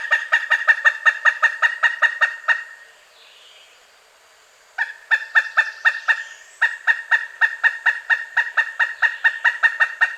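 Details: Pileated woodpecker delivering bursts of rapid, loud kuk notes separated by a two-second pause and a shorter break, a chattering call said to carry far through forest.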